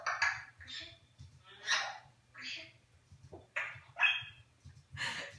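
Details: New Guinea eclectus parrot mimicking human words in English and Flemish, 21 January 2015: six separate raspy, voice-like utterances spaced about a second apart, each a short, broad burst, over a steady low indoor hum.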